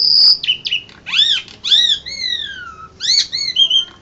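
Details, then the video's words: Asian pied starling, first-place winner of an Indonesian bird singing contest, ANF Bird Cup, April 2014: loud whistled phrases, a long high note, then rising and falling slurred whistles with bright overtones. "JUARA 1 LOMBA KICAU JALAK SUREN INDONESIA"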